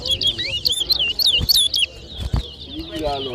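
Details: Chestnut-bellied seed finch in a 2023 towa towa whistling contest, Berbice, Guyana: bright looping whistled phrases for about two seconds, then thumps and a quieter voice.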